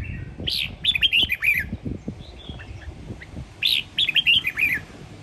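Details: Morning song of a red-whiskered bulbul of the Sông Kon line, Quảng Nam, Vietnam: two quick phrases of five to six bright, bubbling whistled notes, descending slightly, with faint softer chirps and low rumble between them.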